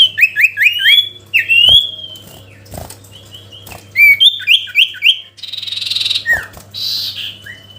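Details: Sooty-headed bulbul calling a rival: strings of rapid whistled notes and slurs broken by faint clicks, ending in a buzzy, harsher phrase.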